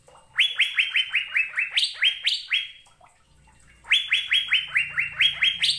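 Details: Asian fairy-bluebird song from a masteran recording made to prompt caged birds to sing: two bursts of about ten fast, ringing upslurred whistles, each burst lifting to one or two higher notes, separated by a short silence.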